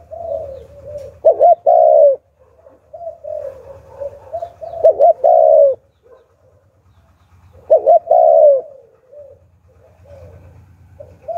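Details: Spotted dove in the Hạp Bổi calling style, kept as a lure for wild doves: loud two-part coos repeated about every three seconds, linked by quieter wavering coo notes over a steady low rumbling hum.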